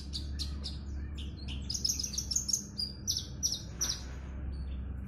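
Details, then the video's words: A captive Horsfield's bush lark, set out in the sun and about to sing, gives a loud, rapid, varied run of high chirps and short twittered phrases over a steady low hum. "Kicauan burung branjangan lantang"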